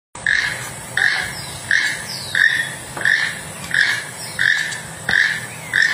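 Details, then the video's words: Toucan giving a steady series of hoarse, croaking calls, one about every three quarters of a second, over a constant background hiss. "Toucan Sound"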